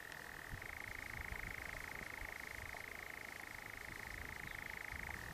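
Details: A nightjar at Hamsterley in 2012, one of two birds active from 9:45 to 10:30, churrs in one long, unbroken mechanical trill that rises slightly after half a second and drops near the end, over steady hiss.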